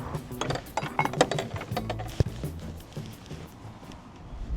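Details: Music with clinking dishes, cutlery and glass in a small room, with a sharp knock near the middle and no animal voices.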